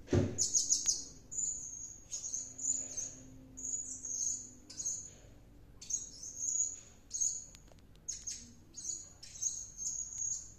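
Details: Serindit, a kept bird singing vigorously after returning from a bird-luring outing: piercing, very high, shrill buzzy trills in rapid bursts, repeated about every half second to second throughout, with faint low background hum.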